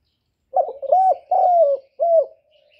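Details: Spotted dove singing: a clear, mellow cooing phrase of four soft hoots over about two seconds, the middle notes drawn out and gently falling, the last one short, with no other sounds present.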